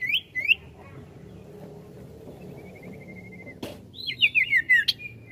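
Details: Ashy tailorbird (sirtu) in ngetril ngetrol song: two rising whistles, a quiet stretch with a faint thin trill and a sharp click, then a quick descending series of bright slurred whistles.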